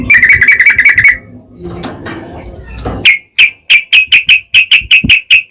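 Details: Yellow-vented bulbul in energetic, long rapid song used as a lure to provoke other bulbuls into singing: quick bright chirped notes, a murky low rumble with faint voices in a pause, then evenly spaced sharp notes returning.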